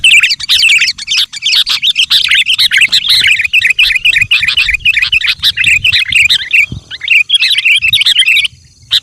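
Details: Sooty-headed bulbul in lively, nonstop song used to lure wild bulbuls: dense bubbly chattering phrases, warbling up and down, running almost unbroken for nine seconds with a short pause near the end.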